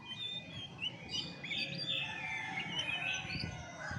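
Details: Chestnut-backed thrush, a wet-forest bird, giving varied whistled phrases around mid-high pitch, overlapping and continuous, with low background rumble throughout.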